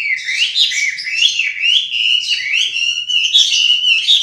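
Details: Chinese hwamei singing a loud, continuous warbling song of rich whistled phrases that slur up and down, rising and falling without pause through the whole stretch.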